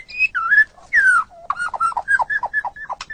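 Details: White-rumped shama singing on a recording meant to train pet songbirds: loud slurred whistles, a short pause, then a quick series of short, descending whistled notes.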